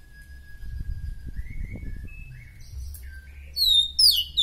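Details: Oriental magpie-robin kept as a song tutor for other birds: a faint, long, level whistle with soft rising notes and background rumble, then a burst of loud, high, descending whistled phrases at the end.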